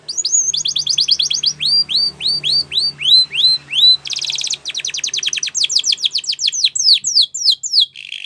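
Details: A Spanish Timbrado canary sings a training song meant for young canaries: a string of evenly spaced arched whistles, then a bright buzzing roll and quick sweeping trills that grow denser.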